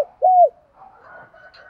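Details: A decoy spotted dove calling in the morning gives a single soft, hollow coo, slightly rising then falling, followed by faint background murmur.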